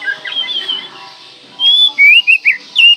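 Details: Oriental magpie-robin singing as a lure to stir mute birds: a soft warbled start, then loud clear whistled notes in rapid rising and falling slurs.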